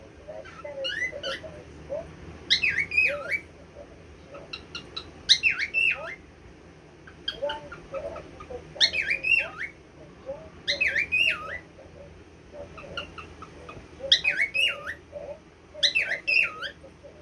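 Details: A recently adopted pet cockatiel repeats a squeaky, whistled imitation of the Korean greeting "annyeonghaseyo" (hello) in short bursts.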